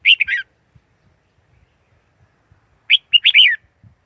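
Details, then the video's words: Red-whiskered bulbul singing: two short, bright warbled phrases of quick slurred notes, the second longer and more varied, separated by about two and a half seconds of quiet; no other sounds. "Tiếng chim chào mào / suab diab liab quaj cuab tuaj zoo heev li tau"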